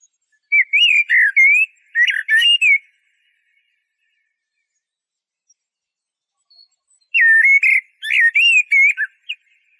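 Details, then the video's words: A Eurasian blackbird sings two phrases about six seconds apart, each a string of varied, warbling whistles followed by a squeaky, high-pitched twitter, with silence between. "تغريد طائر شحرور (جحمومية)Merle noir"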